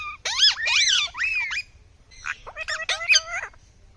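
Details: Indian ringneck (rose-ringed parakeet) screeching: two bursts of loud, rasping, wavering squawks that rise and fall, separated by a short quiet gap, with no other clear sounds.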